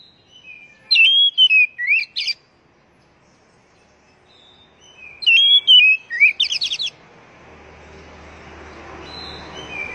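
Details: Oriental magpie-robin (kacer) song to encourage kept birds to sing: two short phrases of clear whistles and quick trilled notes about four seconds apart, followed by a rise of broad background noise.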